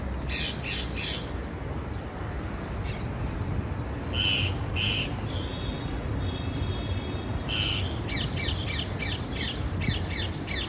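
Parakeet squawks come in harsh, buzzy bursts, first in a few clusters and then as a rapid string of repeated notes, over a low steady rumble.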